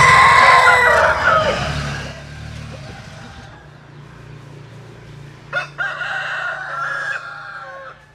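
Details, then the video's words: Rooster crowing, with a long, loud, strained crow for about two seconds, then a fainter, more distant rooster answering with a shorter crow a few seconds later over low background hum. "Tập Hợp Những Tiếng Gà Gáy Rất Hay"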